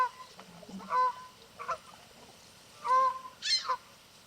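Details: Canada geese on a lake honking and calling to each other while swimming; four loud nasal honks, the last higher and harsher, over low background murmur.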